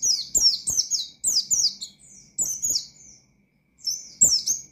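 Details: Oriental white-eye belting out 'ngalas' song to provoke rivals: strings of high, piercing, down-slurred whistles about three per second, a brief pause, then renewed notes, faint clicks below.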